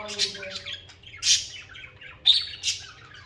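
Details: Budgerigars singing and chirping as a social group, harsh buzzy squawks in quick bursts about once a second, between them softer scratchy chatter over a faint low hum.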